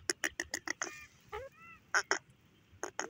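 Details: Grey francolin, locally called teetar: a quick run of harsh, broadband clucking notes about six times per second, then a few short tonal whistles and two more loud harsh notes near the end.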